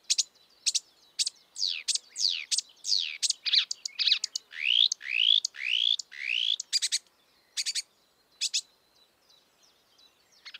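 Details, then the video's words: Wild marsh warbler singing a fast, varied run of high notes: sharp clicks, steep downward slurs, then a series of rising swept whistles near the middle. The phrases trail off into sparse ticks over a quiet background. "kicauan merdu burung marsh warbler / kerak basi di alam bebas"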